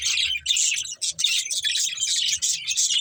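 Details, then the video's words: Budgerigars, a breeding pair kept as pets, chattering continuously with rapid, grating chirps and warbles, nearly unbroken over three seconds, faint low thumps beneath. "Beautiful Budgies Chirping Sounds | Love Birds Breeding Pair"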